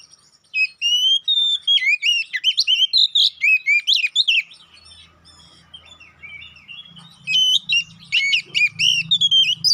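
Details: Kacer poci (Oriental magpie-robin) lure song meant to make a bird quickly agitated and fighting: a loud, varied stream of sharp whistled phrases and chattering notes, pausing midway, over a faint low hum.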